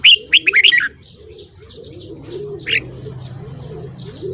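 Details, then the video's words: Red-whiskered bulbul singing in the morning to train birds' voices: one fast phrase of five bright whistles, followed by continuous soft dove cooing and a lone whistled note. "Luyện giọng chào mào hót sáng .kích giọng chào mào hót hay"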